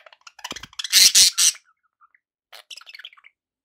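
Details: Pet budgerigars kept for company, recorded indoors: a loud burst of harsh, buzzy squawks in the middle, framed by faint scratchy chatter and soft high chirps.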